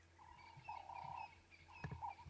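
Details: Ring-necked Dove perched up in a tree at sunrise, Sabi Sand, 19 August 2016, its throat puffing out as it calls. Two mellow, even coos, one long and one shorter, over a low steady hum with a faint click.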